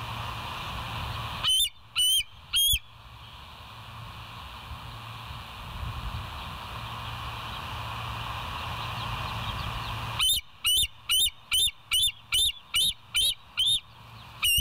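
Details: Bald Eagles at the West End live cam, morning of 25 September 2023. Three high piping notes, about eight seconds of hiss, then a fast run of roughly ten sharp, high, squealing notes.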